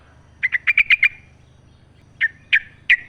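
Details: Wild yellow-vented bulbul singing in full voice outdoors, recorded to encourage captive bulbuls to sing: a fast run of six chattering notes, a pause, then three separate emphatic chirps.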